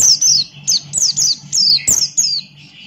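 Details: Buxton's white-eye, a male, in energetic 'ngalas' song: a near-continuous chain of sharp, high, falling whistled notes about three per second, with some lower warbled notes, over a constant low hum.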